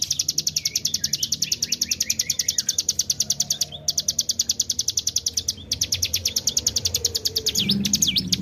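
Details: Lure recording of a hill prinia in 'tarikan bren' style: a long, rapid, even trill of high clipped notes, about three per second, pausing twice, ending in a few swooping whistles over faint low background noise.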